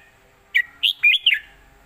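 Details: Southern Thai master song of a red-whiskered bulbul, a traditional phrase kept for training other birds: a crisp series of four rolling, chirpy whistles, the third slightly longer and sliding, delivered in under a second.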